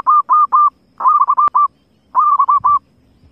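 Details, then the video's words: Wild zebra dove calling in three bursts of short, mellow, even-pitched cooing notes, the first burst three separate notes, the next two quicker runs of four to six notes, with a faint low background hum. "suara perkukut liar"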